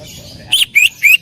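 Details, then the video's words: Cucak ijo, greater green leafbird, loud bursting song: three short, bright notes, the first buzzy and the last two clear rising whistles, given in quick succession. "Masteran cucak ijo gacor full tembakan suara keras"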